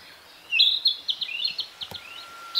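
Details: Narcissus flycatcher in song amid green foliage in northern Harima, Hyogo, Japan, during a birdwatching walk: a bright run of rapid whistled notes and quick repeated chips, ending in a rising whistle, over faint background hiss.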